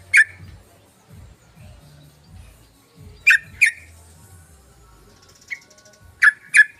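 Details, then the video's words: Yellow-vented bulbul lure call: loud, sharp double notes repeated at irregular gaps of about three seconds, with one softer single chirp in between, over faint low rumbling. "PANCINGAN SUARA BURUNG TRUCUKAN"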